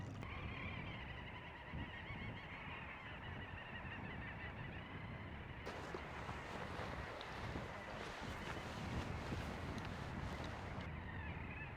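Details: A dense, constant chorus of Little Auks flying around a steep, rocky seabird hillside on Svalbard, giving rapid, chattering, nasal trills that overlap without pause; a person talks briefly and wind rumbles underneath.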